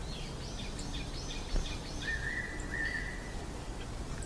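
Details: Coal tit nesting in a tree hole, busily carrying food to its nestlings; a rapid run of thin, high chirps over the first second and a half, then a steady lower whistled tone with a brief break, over faint outdoor noise.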